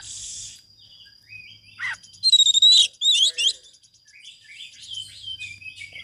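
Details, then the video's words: Oriental magpie-robin song for training birds to sing: hissy noise at first, then a harsh buzz, a loud fast series of whistled notes, and soft sliding warbles to the end. "Masteran kacer gacor dor bongkar isian,pancingan TOP buat kacer macetmu"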